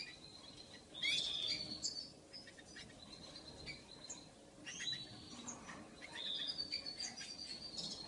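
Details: A Lawrence's goldfinch x dominant white canary hybrid sings a high, thin twittering song in bursts of rapid chips, trills and buzzy notes, with short pauses between phrases; steady hiss in the background.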